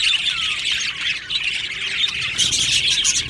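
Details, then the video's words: Budgie colony in an aviary singing and chirping: thick overlapping warbles and squawks, growing louder and denser toward the end. "Beautiful Happy Budgie singing and chirping sounds"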